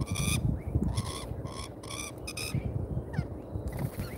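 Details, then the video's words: Lorikeets at a feeder in Australia, on a live camera: loud, harsh, repeated screeching calls in steady bursts, interspersed with shorter downslurred squeaks, over a low rumbling background. "LIVE Lorikeet Birds from Australia"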